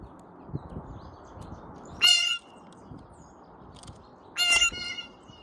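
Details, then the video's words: Blue jay giving two harsh, nasal, buzzy calls about two seconds apart, each lasting roughly a third of a second, over a low rumbling background. "Blue Jay Call"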